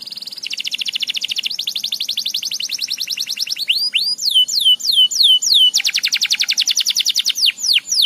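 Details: Canary song: fast, even trills of rapidly repeated notes that shift to a slower series of loud, sweeping whistled notes, then return to a rapid rolling trill, steady and high-pitched throughout.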